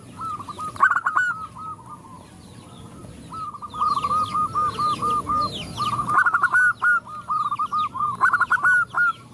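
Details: Short, rapid, rhythmic notes from several zebra doves answer a female calling to males. Quieter runs at the start build to loud, overlapping bursts near the end, with light high chirping from other birds.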